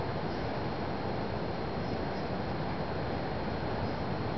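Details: Steady broadband rushing noise, like an engine or vehicle hum, fills the recording with no animal voice heard.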